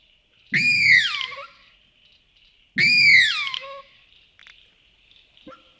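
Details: Australasian swamphen (Porphyrio melanotus) recorded at night by a wetland in Wollemi National Park, NSW, Australia: two loud, harsh squealing screeches about two seconds apart, each sliding downward with a rough grunting undertone, then a few faint clicks.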